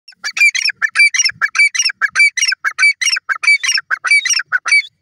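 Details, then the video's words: Grey francolin calling: loud, harsh, rhythmic notes in quick grouped bursts, repeated steadily with a pulsing pattern for the whole five seconds, no other sounds. "beautiful voice of dakni teetar lovely teeter ki awaz"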